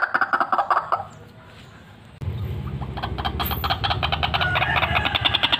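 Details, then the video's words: White-breasted waterhen, a vocal fighter bird kept for luring, calling in rapid series of loud, rasping, croaking pulses. A quick burst comes first, then a short quiet gap, then a long, steady, repetitive grating sequence over low background rumble. "RUAK RUAK FIGHTER GACOR SIAP BUAT PIKAT"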